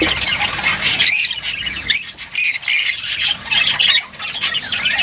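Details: Harsh, loud squawks from lovebirds over a steady background of high twittering chatter.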